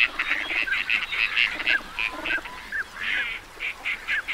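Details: Teal ducks calling as a group: short, nasal, mid-high notes repeated rapidly and irregularly, several birds overlapping, with brief downward-slurred whistles between bursts and a quiet background.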